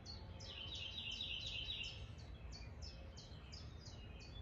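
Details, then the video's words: Wild bird singing outdoors as a spring storm approaches: a rapid series of high, sharp chirps repeated about three times per second, denser and overlapping in the first two seconds, over a steady low rumbling background. "Bird Song as Spring Storm Approaches"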